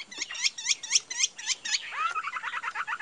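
A Chinese hwamei sings loud, ringing downslurred notes about four per second, then breaks into a quicker, rising rattling phrase.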